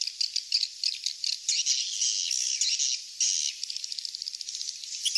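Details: "Kings Star" swiftlet call played to attract the birds: a sustained, shrill, buzzy twittering chorus with rapid rattling clicks, briefly dipping before the chatter resumes.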